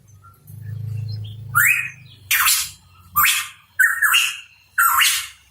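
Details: Hooded pitohui (cucak rawa papua) chirping: after a low steady hum, five loud, hoarse, explosive notes come at slightly irregular intervals of under a second each.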